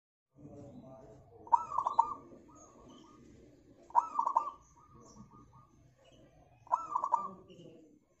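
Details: Local zebra dove song used as a lure to make other birds sing, three loud cooing phrases about every 2.5 seconds, each a sharp note followed by quick rolling coos, with faint softer bird calls in between.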